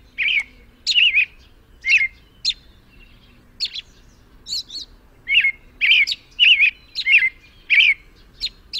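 American robin singing clear, warbled phrases of two or three notes, about one and a half per second, with thin high squeaky notes mixed in.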